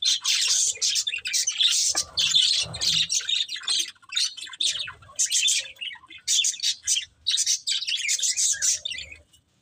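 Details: Budgerigar breeding pair chattering in bursts of quick high chirps and scratchy warbles, with short gaps between phrases over nearly ten seconds.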